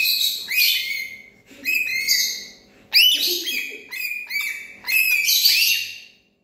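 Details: Parrot giving loud, grating squawks in grouped bursts about every second, each note arched and rich in overtones, with short gaps of quiet between.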